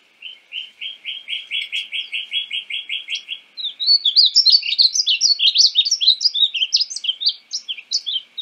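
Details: Painted bunting (Passerina ciris) song: a steady series of about fifteen evenly repeated buzzy notes, then a louder, rapid, tumbling warble of varied high slurred notes lasting several seconds.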